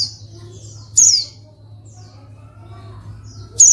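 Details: A female white-eye, whose calls are used to provoke reluctant males into singing, gives two thin, very high downslurred notes about two and a half seconds apart, with faint twittering between them over a low hum.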